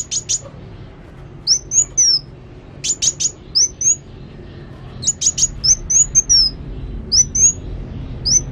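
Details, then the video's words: Energetic sunbird song mixing clipped high chirps with thin, slurred, up-and-down whistled phrases, repeated every second or so, over quiet low background hum. "Kolibri Wulung Gacor"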